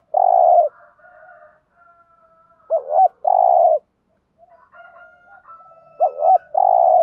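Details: Spotted dove decoy calling in the 'thúc gù' lure style to stimulate newly caught doves: three long low rough coos, two led by hooked double notes, with thin high drawn-out calls from other birds behind.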